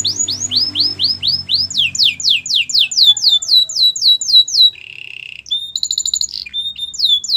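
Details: Canary song for training other canaries: a series of loud downslurred whistled notes about four per second, followed by a buzzy rolling trill and quick high chirping phrases.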